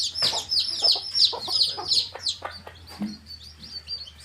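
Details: Colourful hen chicks in a field chirp in bright, strongly falling peeps that are fast and steady at first, then thin out and grow quieter, with soft low clucks among them.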